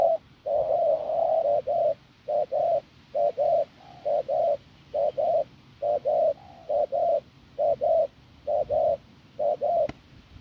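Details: Wild-caught spotted dove from the fields cooing hoarsely and strongly: an opening long note, then regular paired short coos repeated roughly every second for ten seconds, ending with a sharp click.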